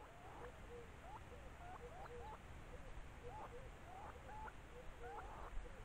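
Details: Stone-curlew at its nesting site: a series of short, hooked whistled notes rising and falling, repeated many times in quick succession at low level over a steady rumbling background.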